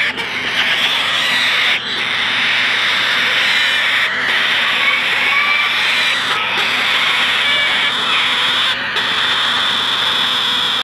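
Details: Four hand-fed, incubator-hatched slender-billed corella (Cacatua tenuirostris) chicks, about two to three weeks old in March 2015, give a steady, harsh rasping hiss that runs on almost without a break, with a few brief clicks and thumps mixed in.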